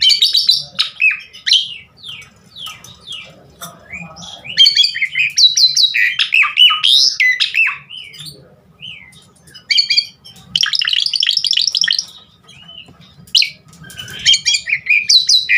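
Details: Javan pied starling song meant as a lure for other birds; scattered bursts of rapid chattering and slurred whistles separated by quieter gaps.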